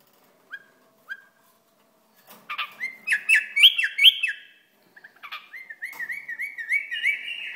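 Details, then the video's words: Iraqi bulbul starts with two soft whistles, builds into loud chattering warbles, then runs into a rapid, wavering string of similar notes. "بلبل عراقي"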